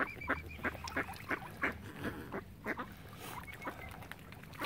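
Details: Ducks on Lough Neagh at Oxford Island in Ireland, near a swan family, uttering quick repeated nasal quacks about one and a half per second, with a faint wavering whistled call behind.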